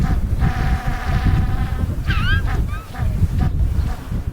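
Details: An African penguin at the Boulders Beach colony near Cape Town, South Africa, brays in the background, a harsh, donkey-like honking tone over a steady low rumble.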